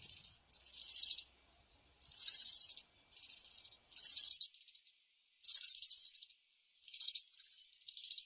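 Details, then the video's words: European serin heard in nature, giving separate short phrases of rapid, high, wiry jingling notes, each under a second long with brief silent gaps between them, six or seven phrases in all. "طائر البسبوس السورا في الطبيعة_serin cini dans la nature"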